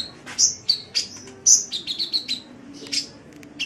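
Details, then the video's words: Sunbird song for tutoring pet birds: a quick series of high sharp chirps and slurred whistles, close together, with one strong piercing note near the middle. "Suara Burung Kolibri | Gacor"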